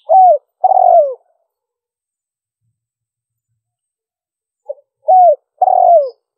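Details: Spotted dove giving the 'liêu ròng' call, a recording used to lure wild doves: two loud phrases about four seconds apart, each a short low note and then two longer, mellow, downward-sliding coos, with silence between.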